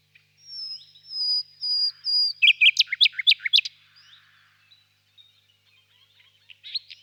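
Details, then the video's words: Common nightingale singing: a few long, pure whistled notes held steady, then a burst of rapid, loud, sharply chopped notes, followed by quiet pauses and a faint closing flourish. "пение соловья"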